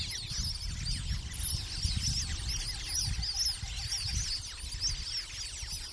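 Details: A large flock of plumed whistling ducks (Dendrocygna eytoni) at Fogg Dam near Darwin, Northern Territory, gives a constant chorus of thin, high, twittering whistles overlapping without pause, over a low wind rumble.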